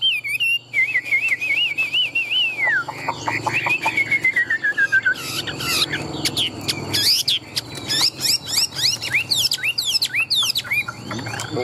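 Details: A big, tame Chinese hwamei bred for competition song sings a trilling wavering whistle sliding downward, followed by rapid staccato notes and sharp rising and falling whistles.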